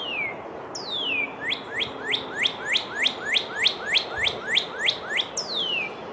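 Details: Northern Cardinal singing in spring in a central or eastern US backyard: clear, loud downslurred whistles, then a quick run of about a dozen short 'cheer' notes, three to four per second, ending with another long slur.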